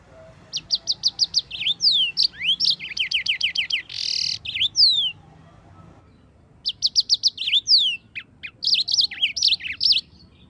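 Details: Yellow-fronted canary singing in full, continuous form, used as a master recording to train other birds to sing: high bright trills of rapid repeated notes, swooping whistles and a brief buzzy burst, in two bursts separated by a pause.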